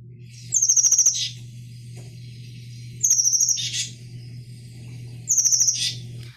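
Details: Oak Titmouse in the San Francisco Bay Area giving its harsh, hoarse call: three phrases about two and a half seconds apart, each a thin high note then a rapid scratchy chatter, over a low steady hum.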